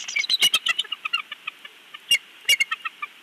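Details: On a Big Bear nest, filmed by a live nest cam, the father bald eagle gives a dense burst of high, harmonic chattering notes, then sparser single squeaks, with sharp crackling clicks.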